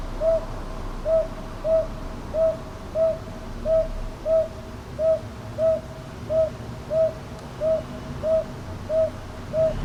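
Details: Northern boobook in Ichijoji, Sakyo Ward, Kyoto, recorded 22 May 2023 on a TASCAM DR-100MKIII: a long, steady series of about fourteen mellow hoots, evenly repeated roughly every two-thirds of a second, with faint low hum beneath.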